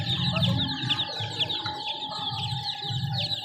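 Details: Chicken chicks in a group giving a dense chorus of high, thin peeps that overlap continuously, with a steady low hum and a faint constant tone underneath.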